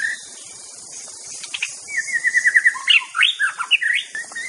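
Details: Aceh white-rumped shama master song: a quick, even trill of repeated notes, then loud, looping whistled phrases that swoop up and down.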